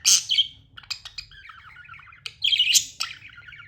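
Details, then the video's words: Pet budgerigar chirping, with loud squawky notes at the start, then rapid, rolling warbled chatter that carries on steadily and is broken by sharp bursts around 2.5 and 2.8 seconds, over a low background hum. "Amazing budgie chirping sounds"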